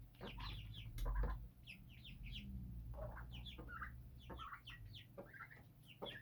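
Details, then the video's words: Birds raised on a rooftop chirp in dense overlapping bursts; a loud low thump sounds near the one-second mark, with a steady hum behind. "birds chirping sound!"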